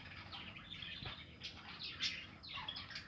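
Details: Flock of budgerigars in a nesting aviary, recorded 2020, giving continuous warbled chirps and scratchy squeaks with a single sharper note standing out, a soft low thump near the start.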